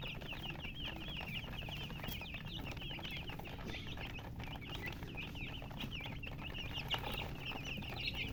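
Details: Thirsty poultry chicks, colour chicks wanting drinking water, chirp continuously: a crowded flock of thin, rapid peeps overlapping without pause, over a low rumbling background and occasional clicks.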